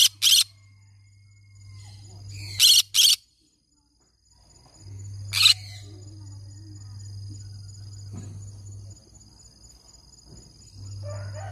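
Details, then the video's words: Green-cheeked conure parrot giving scattered harsh, grating squawks, one single, then a quick pair, then another single, against a constant low hum with faint indoor background noise. "I can sing all day long, can you believe it? green cheek conure parrot sounds."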